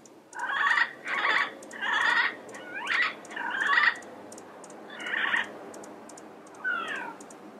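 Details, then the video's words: Yellow-headed parrots in the wild repeat harsh, nasal squawks roughly every second, five in a row, then two spaced-out calls, one ending in a descending whistled note. "Yellow-Headed Parrot Sounds - Natural Bird Calls and Songs in the Wild"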